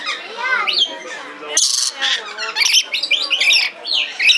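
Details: A red lory (Eos rubra) at the Belgrade zoo, recorded in 2022, gives harsh, screechy squawks and chattering notes in uneven bursts, with some softer warbling sounds between them.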